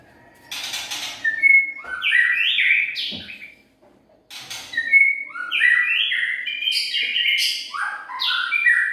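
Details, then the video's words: White-rumped shama singing a lure song: a harsh, rasping burst opens each of two long phrases of varied whistles, which jump up and down in pitch. A brief pause separates the phrases. "Murai batu pikat"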